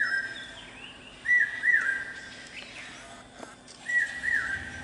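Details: A male common hawk-cuckoo (brainfever bird) on a campus gives shrill, piercing whistled notes on a steady high pitch, with louder notes bunched in pairs over a faint background hiss.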